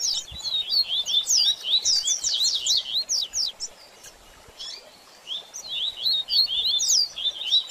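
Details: Double-collared seedeater in baderninha song style, meant to stimulate a bird after moulting: rapid high twittering of slurred, buzzy notes in dense bursts, a short pause near the middle, then more chattering phrases.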